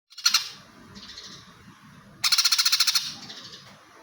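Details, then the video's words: Greater green leafbird in full fighting song: harsh, buzzy high bursts, a loud burst near the start, then a rapid rattling series of about ten pulses over under a second, with faint low background noise. "CUCAK HIJAU FULL GREJA TARUNG!!"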